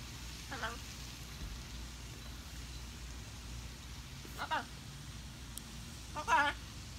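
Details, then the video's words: A female pet blue-and-gold macaw talks to herself in the breeze, uttering three short, speech-like mutterings a few seconds apart over a steady low rumble of wind. "Blue and Gold macaw parrot talking to herself in the breeze"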